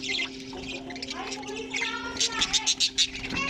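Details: Budgerigars in a colony kept alongside cockatiels: dense overlapping chirps and warbled chatter, with a quick series of sharp, loud tweets in the final second and a steady low hum underneath.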